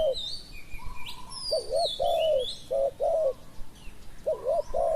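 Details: Spotted dove used as a decoy to lure wild doves: low mellow two-part coos, each a double rising-falling note, repeated in short groups with pauses, while other birds whistle and chirp higher in the background.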